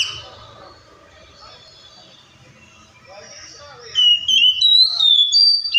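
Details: Oriental magpie-robin: mostly quiet background at first, then a loud run of high, clear whistles with upward slides in the final two seconds.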